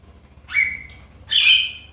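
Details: Javan myna voice from a lure recording meant to provoke a quiet bird into singing. Two harsh, rasping squawks are heard, the second broader and noisier, over low background hum.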